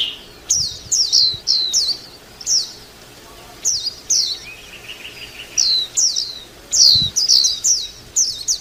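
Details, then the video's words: White-eye chirping: sharp, high, downslurred notes in short clusters of two or three, separated by brief pauses, with one soft, lower, buzzy trill near the middle; faint background hiss. "tiếng chim vành khuyên hót líu lo"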